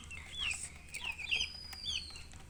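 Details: Baby chicks chirping: a few quick high peeping notes, some with a rising-then-falling arch, scattered over two and a half seconds, with faint background hum.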